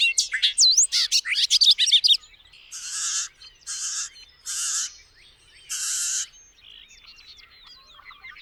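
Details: Songbird opens with fast, sharply rising and falling whistled notes, then gives four separate buzzy, rasping bursts spaced about a second apart, ending in faint thin chirps.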